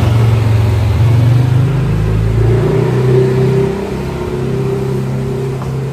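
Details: A revving car engine drones with shifting low tones throughout, and no animal sound is heard.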